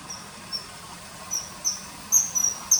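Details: Common kingfisher by a river: a few isolated high whistles early, then a louder burst of sharp, closely spaced piping notes near the end.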